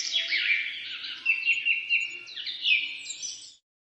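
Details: Bird singing in the morning: a fast, continuous twittering song of high, warbled and trilled notes lasting about three and a half seconds, then silence, with a faint low hum beneath.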